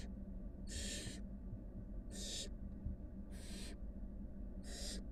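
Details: Five wild barn owl nestlings with their mother at the nest; four harsh hissing bursts of varying length, spaced over five seconds, above a constant low-frequency hum.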